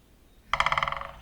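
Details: A great spotted woodpecker perched on a tree drums on a dry trunk: one quick ringing roll of about fifteen hard taps in just over half a second, fading at the end, against a quiet background.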